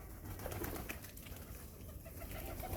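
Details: Domestic pigeons in a loft of mostly red birds coo in low, soft rumbles under a steady wash of indoor background noise.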